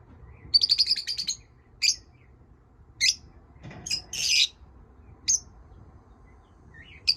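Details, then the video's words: Pet lovebirds chirping: a rapid stuttering run of high notes at the start, then isolated sharp chirps every second or so and one longer buzzy call, with a soft thump midway. "My love birds chirping"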